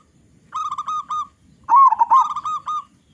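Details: Zebra dove of local stock with a strong voice, sung as a lure for other zebra doves: a set of four short even coos, a pause, then a loud trilling coo run that tails off into evenly spaced notes.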